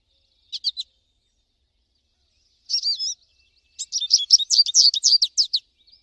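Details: American goldfinch singing outdoors: a brief triple chirp, a pair of slurred whistled notes, then a fast, dense chatter of high twittering notes lasting nearly two seconds.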